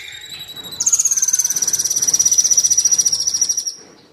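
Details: Kolibri Wulung sunbird, from a recording used to train captive birds: soft high notes, then a loud rapid pulsed trill of about three seconds, slightly falling in pitch, fading out at the end.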